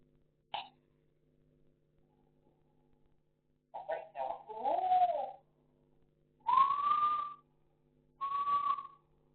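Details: Talking African grey parrot in Sukkur, Pakistan, gives a sharp click, then a run of speech-like gurgling syllables, followed by two clear, sustained, slightly rising whistles.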